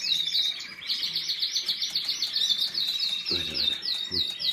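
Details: Canary song made of a rapid, rhythmic series of repeated high trilled notes, roughly three to four per second, continuing steadily, with a couple of faint low thumps in the background.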